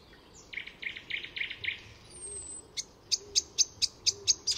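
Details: An Icterine warbler, a master mimic weaving other species' calls and songs into its own, sings at Fysingen reserve north of Stockholm, Sweden: about six harsh, buzzy notes, a thin high whistle, then a quick run of sharp, high chipping notes.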